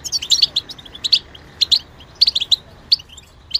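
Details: European goldfinch, described as a mimic of other birds, giving a short run of sharp, high twittering notes in quick clusters separated by short gaps over a quiet low background hum.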